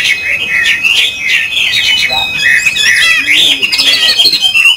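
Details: A captive Chinese hwamei, not heard singing for a long time, sings a loud, varied run of rich whistles and rapid slurred phrases, high and continuous, while a man talks in the background.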